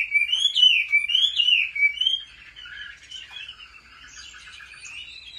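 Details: Chinese hwamei in fighting song during home training; three loud, rich whistled phrases in the first two seconds, followed by softer, lower twittering and warbled notes.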